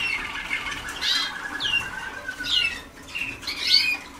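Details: Young Waterslager canaries only days into song schooling: sweeping high whistled notes and short rolling trills, with pauses between phrases and a faint steady hum behind.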